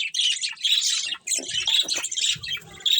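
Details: Breeding pair of budgerigars within a colony giving busy, high-pitched twittering and scratchy chirps in continuous overlapping phrases. Soft low knocks appear toward the middle and end.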